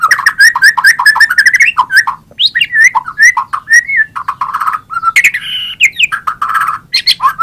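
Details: White-rumped shama singing loudly: a fast, varied medley of rich, mid-pitched whistles, rolling trills and abrupt chattering notes, changing phrase after phrase without pause.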